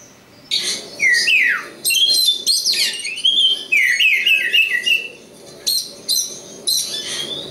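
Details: Oriental magpie-robin, local East Java bird, singing a lively series of whistled sweeps and warbled notes amid buzzy bursts, followed by short spaced harsh calls repeated about every half second.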